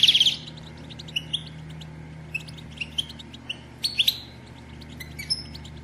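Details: Female European goldfinch batbata, played to encourage males to sing and mate: an opening burst of bright twitter, then spaced, high, sharp chirps every second or so, with a short tinkling cluster near four seconds, over faint low hum.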